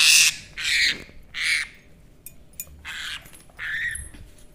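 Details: Pet parrot at home playing with a baby, giving a series of harsh loud squawks, three in the first second and a half, then softer calls and a final squawk.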